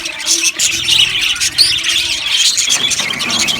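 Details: Aviary budgerigar colony chirping: shrill overlapping squeaks and warbled tweets pour out steadily, with brief louder bursts near the start and middle.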